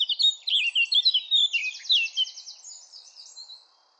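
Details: Fluting, rapid warble of a Eurasian blackcap that turns into a high, even, buzzy trill before fading away.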